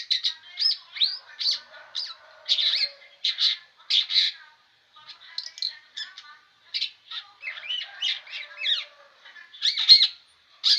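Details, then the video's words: Long-tailed shrike singing without pause: a varied, chattering string of harsh squawks, buzzy notes and short whistles in irregular bursts, with brief gaps and a clean, quiet background. "Apa sih rahasianya sehingga burung cendet ini tak mau diam"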